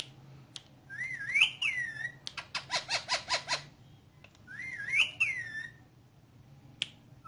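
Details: Talking green ringneck parrot, speaking Urdu/Hindi: two wavering whistled phrases, each rising then dipping, with a rapid burst of about six clipped, clicking syllables between them. Quiet room hum throughout.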